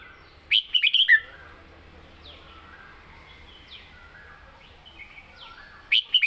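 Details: {'text': 'Caged red-whiskered bulbul singing a southern Thai style song phrase called med kajik hok: a quick burst of four or five loud, clipped whistled notes, repeated after about five seconds, with faint distant birds between phrases.'}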